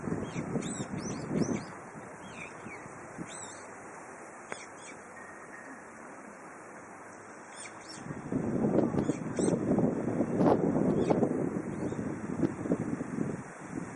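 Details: Brown-eared bulbul on a windy spring day: bursts of high, sharply curved whistled notes in quick runs, separated by lulls, with loud wind gusts surging in the second half.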